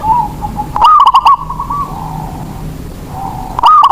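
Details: Local zebra dove used to coax lazy doves into cooing: one loud rattling coo phrase, a quieter wavering coo, then a second loud phrase beginning at the end.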